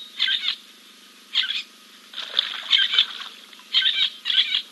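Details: At King's Camp on 2 April 2024, a Giant kingfisher preens after a dip. Five or six loud grating bursts come in irregular groups, one drawn out longer, against a faint constant electronic whine.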